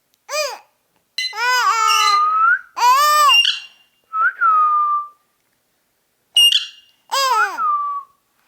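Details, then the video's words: Talking ring-necked parakeet producing bursts of buzzy, speech-like syllables mixed with clear whistles that sweep up sharply, in about six separate phrases over eight seconds. "Ringneck Talking Parrot"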